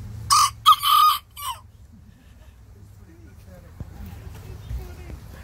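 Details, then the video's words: Small bantam rooster crowing back at a big rooster next door: a loud, harsh, broken crow in three quick bursts over about a second, then quiet with soft background murmur. "Tiny Bantam roosters answer big rooster nextdoor"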